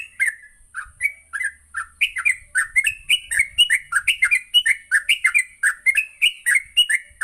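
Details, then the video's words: Morning song of the yellow-vented bulbul, known locally as trucuk, played to train birds; steady rapid stream of liquid, gurgling notes repeated roughly three times per second for the whole stretch. "Pancingan Pagi burung trucuk Gacor"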